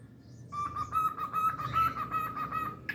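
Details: Pet cockatiel indoors giving a sustained, steady whistled tone held for over two seconds with a slight wavering, ending in a brief higher squeak; faint low room noise underneath.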